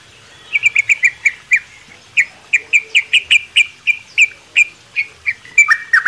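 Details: Sooty-headed bulbul in a mini aviary during the morning, singing a series of separate clear chirped notes, spaced and rhythmic, with a short gap midway and a busier burst at the close.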